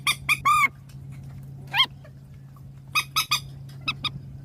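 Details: Swamphen in a Vietnamese decoy recording: a few loud nasal honks, one drawn-out and slightly falling, then scattered shorter squawks over a steady low hum.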